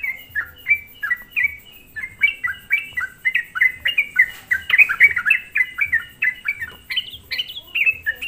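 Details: Sooty-headed bulbul song used as a lure to provoke other bulbuls: rapid chattering series of short bubbly notes dropping from about 3k to 2k, repeated about three times per second with little pause, faint low thumps underneath.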